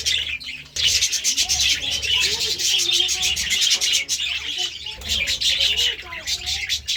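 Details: Budgerigars eating seeds and vegetables give continuous, buzzy, high twittering chatter mixed with scattered soft squeaks, almost without pause.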